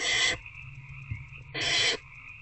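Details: Barn owls in a nest box at night, 19 February 2024, around 9 pm, as an adult feeds an older owlet a rat: two harsh, breathy, broadband hisses about 1.3 seconds apart over a steady background hum.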